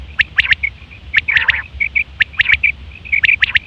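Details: Common quail calling, September 2023, a call for mating: fast bright triplets interleaved with short level piping notes and one rough buzzy burst, densely packed.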